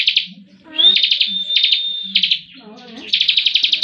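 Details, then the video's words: Bar-winged prinia (ciblek) singing in full 'ngebren' style while moulting: rapid buzzy trilled bursts, each about half a second long, with a long thin level whistle between them, over a faint low hum. "cikris ngebren meski lagi dokor"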